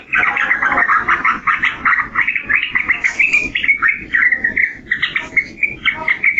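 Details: Yellow-vented bulbul giving a long, unbroken stream of rich, gurgling notes, with short slurred whistles running one into the next and a faint hiss in the background.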